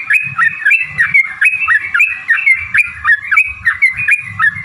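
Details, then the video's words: Chattering yellow-vented bulbul song meant to get other bulbuls to respond; liquid, looping phrases follow one another steadily, with low intermittent background thumps. "trucukan gacor TARUNG ROPEL PANJANG pancingan trucukan agar bunyi jadikan burung trucuk NYAUT gacor"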